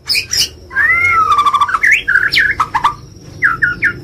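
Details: White-rumped shama in lively, chatty singing: loud clear whistled notes sliding down in pitch, mixed with harsh squawky and clicking bursts and short looping phrases repeated in quick succession.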